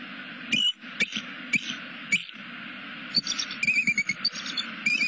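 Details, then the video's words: Bald eagle pair at a nest in Southwest Florida, caught on a nest camera: the female waits, the male flies in, and they greet each other. Sparse, sharp chirps, then a quicker run of thin piping notes over a steady low hum. "greetings - SW Florida Bald Eagles"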